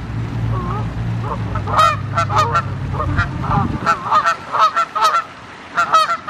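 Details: Canada Goose in the wild, honking repeatedly in short, harsh, nasal bursts that come in quick clusters over a steady low rumbling hum.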